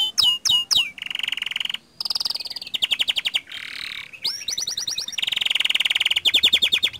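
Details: Energetic gacor canary song played to trigger other canaries into singing; dense buzzy rolls alternate with fast repeated chips and bright high trills, changing tour every second or so.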